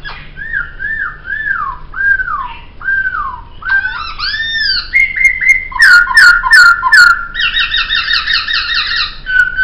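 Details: Poksay laughingthrush song kept as a master recording for tutoring cage birds: slurred whistled notes falling and rising about twice a second, then looping whistles, sharp clicks and fast buzzy trilled phrases, all clear and loud in a small indoor space.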